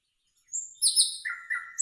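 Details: Nightingale song in a green forest, a short phrase of high pure whistles stepping downward, then two lower whistled notes and a sudden high note at the end; no other sounds.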